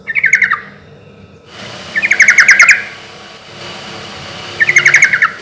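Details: Lure recording of a sooty-headed bulbul singing loudly. Three brief bursts of rapid, bubbly chirps about two seconds apart, over a low background hiss.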